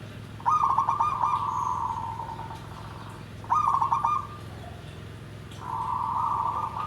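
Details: Zebra dove, a perkutut singing in the nggandem gedhe garing style, a big dry voice: rolling trilled notes that run into a sustained low coo, repeated three times over a steady low hum.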